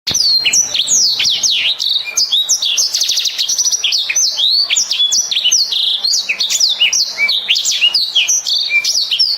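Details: Black-throated canary singing vigorously and sweetly: a long, fast, unbroken stream of high whistled notes, sharp rising and falling slurs, and rapid trills, with one buzzy rattling stretch near the middle, all delivered without pause.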